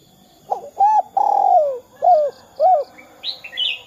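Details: Spotted dove calling in the 'kuk 2' style, kept to set other doves calling. Short arched coos come first, then a long drawn coo that slides downward, followed by two more arched notes. Faint high chirps from another bird appear near the end.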